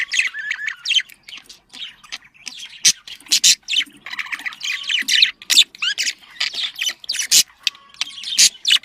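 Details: Domestic budgerigar mating chatter played to bring birds into breeding condition: quick, broken series of sharp chirps, squawks and twittering phrases, separated by brief pauses, with a faint low hum.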